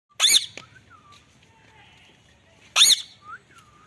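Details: Two harsh, raspy screeches from a pet Indian ringneck (rose-ringed parakeet, Psittacula krameri), about two and a half seconds apart, with faint thin whistles in between.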